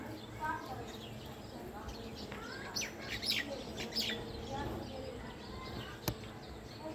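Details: Evening chirping of house sparrows: a cluster of sharp, high, descending chirps packed into the middle of the recording, with quieter lower sounds and one sudden click near the end.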